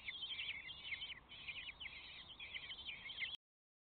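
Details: Common kestrel chicks in their nest box call for food with a continuous, overlapping chatter of high, wheezy trills that run unbroken for more than three seconds.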